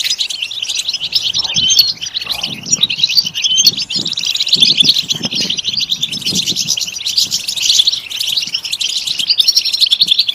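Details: European goldfinch singing, offered as stimulation for other goldfinches: a continuous bright twittering chatter of quick high chirps and trills, with faint low thumps and rustling underneath.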